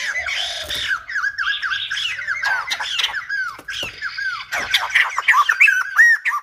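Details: Silver-headed babbler singing: a fast run of loud, slurred, downward-bending whistled notes, about three per second, with harsher chattering phrases mixed in.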